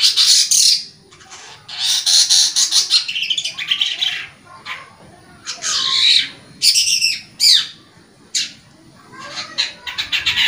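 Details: Loud long-tailed shrike song, a lure to restart singing in stressed or silent caged shrikes; long harsh grating bursts alternate with shorter scratchy notes and quick chattering phrases, with brief silences.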